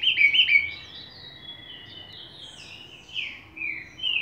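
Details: Green-winged saltator singing in the Bacural and Bom dia seu Chico song styles: a quick burst of loud clear whistled notes, then softer high phrases, ending with further loud slurred whistles.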